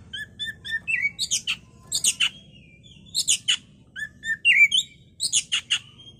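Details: Oriental magpie-robin (kacer) singing on a bait recording meant to provoke agitation and song: short clear whistles open, then sliding whistles alternate with clusters of harsh, rasping bursts, repeated in similar phrases.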